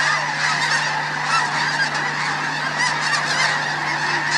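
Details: Huge flock of snow geese taking off en masse in the morning at Bosque del Apache, a dense, continuous wall of high, nasal honks and yelps with no gaps between voices.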